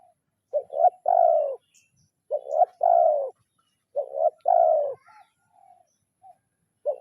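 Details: Spotted dove, rival-calling kuk 0-1 lure: three steady phrases, each a doubled short note and a longer mellow coo dropping in pitch, with soft faint notes in the gaps.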